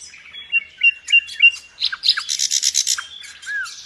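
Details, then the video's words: Vigorous nightingale song from Indonesia, where the bird serves as a singing tutor for pet birds: a few clipped whistled notes, a dropping slur, then a fast rattling run of buzzy high notes and a closing downward whistle. "Nightingale song FULL gacor"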